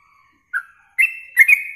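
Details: Yellow-vented bulbul in a training recording for contest songbirds, meant for morning and evening tests: a faint whistle, then one chirp, then a brisk pair of bright notes stretching into level whistles.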